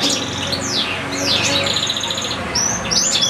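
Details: European goldfinches in cages, with goldfinch-canary hybrids present, one goldfinch giving a long unbroken song: swooping whistled slurs rising and falling, overlapping chatter and twittering, with a faint low hum beneath.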